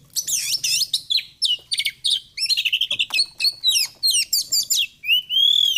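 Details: Oriental magpie-robin (kacer) song, played as training and therapy material for other birds morning and evening: rapid, rich run of varied whistles, chirps and rising slurred notes, densely packed phrases with a long upward-sweeping whistle at the end.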